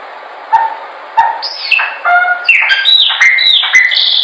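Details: Chopi blackbird song for training: two low soft notes, then a loud high whistle sliding down into a varied series of clear whistled phrases with clicks, over steady hiss.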